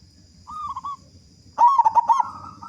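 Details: Local zebra dove with a big voice, singing actively as a lure to get other doves singing: a soft short coo, then a loud pulsed, throaty cooing phrase of rapid beats lasting about half a second.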